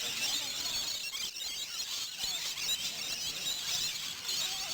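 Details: Wild flock of rainbow lorikeets gathered for afternoon feeding at a Queensland campground; dense, continuous high shrill squealing and screeching chatter from many birds overlapping, with no pauses.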